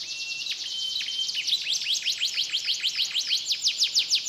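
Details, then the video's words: Canary from Comal, Pemalang, Central Java, Indonesia, singing a mixed imitated song: a steady high whistled note, then quick sweeping high chirps repeated about three times a second in a rhythmic, rolling trill. "KENARI ISIAN CAMPUR ADUK"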